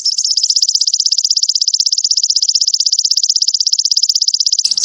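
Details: Little spiderhunter (sogon) master recording for caged-bird training: a long, very even high trill of rapid pulses lasting almost five seconds, ending abruptly in a short burst of mixed notes.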